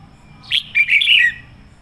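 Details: Loud sổ bọng song from a decoy red-whiskered bulbul: one quick, bright phrase of a sharp opening chirp followed by rolling, liquid warbled notes that drop at the end, over faint low background hum.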